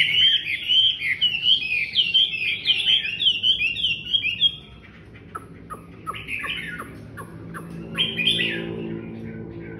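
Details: Chinese hwamei singing loudly at first, a rapid chain of whistled slurs lasting about four seconds, then quieter sharp clicks and a few short whistled bursts with a faint low hum beneath.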